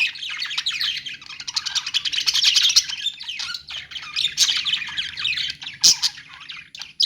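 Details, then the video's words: Many budgies chirping together in a pet store, a steady busy twitter of fast, high, rattling notes with a sharp squeak just before six seconds. "parakeet chirping sounds in pet store"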